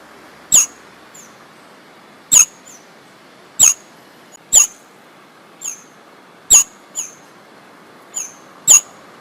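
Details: In jungle, a sparrow repeats clipped, piercing chirps with a falling tail, roughly ten notes over nine seconds, loud ones alternating with softer echoes, against a steady hissing background.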